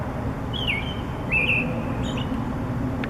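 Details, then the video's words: Morning songbird on a wire giving two drawn-out clear whistles that slide downward, set against heavy low rumbling background noise. "Bird Singing in the Morning"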